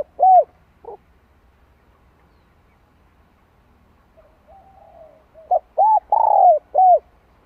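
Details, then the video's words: Decoy spotted dove giving its "2 hậu lỡ" coo, played to train freshly caught birds: two short coos, a pause with soft humming, then a quick run of four rounded, arching coos with one longer drawn-out note. "Tiếng cu gáy kích mồi tập bổi 2 hậu lỡ"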